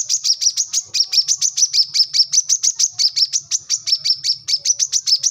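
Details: A Brown-throated Sunbird, used as a tutor so untrained birds start singing quickly, gives a fast, steady run of sharp, high chips, about five per second, in a continuous excited chatter.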